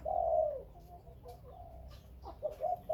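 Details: Spotted dove from Khmer and Malay breeding birds, opening with one strong falling coo, then softer low murmuring and a few short clipped coo notes near the end.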